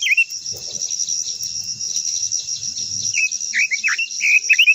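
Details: Quế lâm, the Japanese white-eye, singing its long-voiced stimulating song: scattered high, swooping warbled notes, busier toward the end, over a steady piercing insect buzz with faint low rustling.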